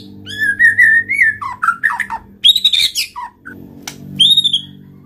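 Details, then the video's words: Murai batu, the white-rumped shama, singing constantly as lure material for quiet shamas: bright whistled slurs and a rising phrase, then sharp high notes, over a low steady humming background. "pancing MURAI BATU malas bunyi/bahan paling mudah direspon tanpa takut |murai gacor |shama bird"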